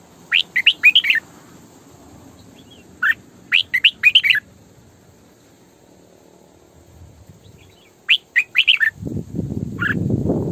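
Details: Decoy female red-whiskered bulbul delivering 'sổ bọng căng' song, meant to coach other bulbuls and attract them to traps: three quick phrases of four or five chirpy, warbling notes, then a rustling, knocking noise at the end.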